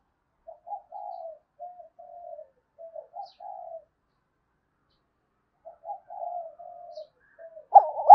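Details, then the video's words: Spotted dove cooing, used as a lure to call in wild doves: soft, low hollow coos in short phrases of a few notes, a long pause, then another phrase, ending with a louder burst. "Chim cu gáy kích bổi nhanh nổi nhất hiện nay, gáy gọi bổi"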